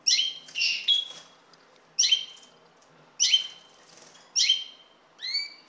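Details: Common linnet giving short, bright twittering calls in well-spaced bursts about once a second, each a quick cluster of chirpy notes with a clipped whistled tail; quiet background otherwise.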